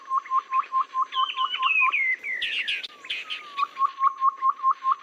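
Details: Babbler lure sound used in trapping, said to work in both rainy and dry seasons. Quick repeated notes sit under a descending whistled phrase and a burst of sharp chirps, then the steady note series returns.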